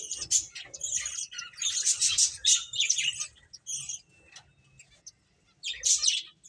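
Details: Playful finches give clusters of sharp, high chirps and short trilled phrases, broken by a quiet gap before a final burst of twittering.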